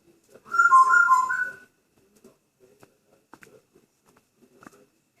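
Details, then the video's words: Indoor pet grey parrot in good spirits producing one warbling whistle about a second long that wavers up and down, followed by soft faint clicks and rustles. "Graupapagei "Paco" pfeift, macht Geräusche und sagt "Hallo" // "Paco" whistling, saying "Hello""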